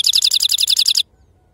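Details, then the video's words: European goldfinch of authentic wild-type stock delivering a Sarfati-style trill: about a second of rapid, evenly repeated tinkling notes, roughly fourteen per second, cutting off sharply into quiet. "أفضل تغريد بندوق حسون خلوي أصيل الله يبارك لصحابو ما شاء الله لغه خلوي أصيل سرفاتي"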